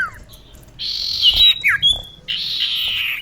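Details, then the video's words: Female common iora calling to a male, as a lure: two long harsh buzzy rasps with a few short slurred chips between them. "Kicau cipoh betina memanggil jantan"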